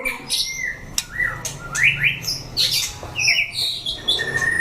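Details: White-rumped shamas kept in cages sing in a fighting test. Clear whistles and upward-sweeping notes alternate with sharp clicks, over a faint low hum.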